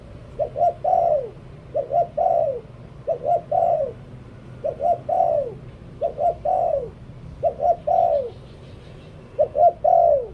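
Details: Decoy spotted dove repeating its song over and over: two brief coos, then a stretched coo that bends downward, the pattern returning about every one and a half seconds.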